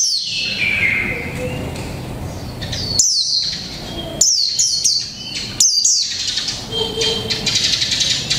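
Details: Mộc tinh white-eye, caged one month, sings 'líu pha chòe trống': a descending whistle, then scattered sharp high chirps and short flicked phrases over noticeable background noise.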